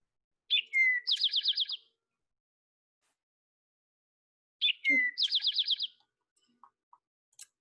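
An Eastern Towhee sings two 'drink-your-tea' phrases about four seconds apart: two clear notes, the second sliding down, then a fast, ringing trill.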